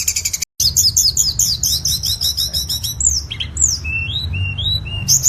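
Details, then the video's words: Tledekan song used to train cage birds: quick repeated high twittering notes broken by a brief silence, then bright downslurred whistles and shorter rising notes, over a constant low-pitched hum. "MASTERAN SUARA BURUNG TLEDEKAN PALING AMPUH"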